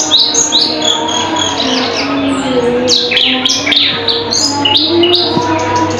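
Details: Caged cucak keling singing loudly and sharply, said to mimic other birds such as lovebirds and canaries; a busy run of varied whistled, chirping phrases and slurred rising notes crowds the clip, with a steady low hum beneath.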